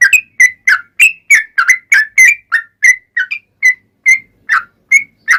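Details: Lively long 'ropel' song of a yellow-vented bulbul used as a lure for answering bulbuls: fast bubbling whistled notes crowded early, then spacing out into clearer single rising whistles, clean background.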